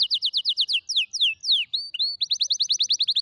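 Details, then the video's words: Canary song meant to train young canaries: loud descending trill notes, then slower sweeping whistles and short upslurs, ending in a fast high rattle-like trill. "كناري يغني أفضل تعليم فراخ الكناري"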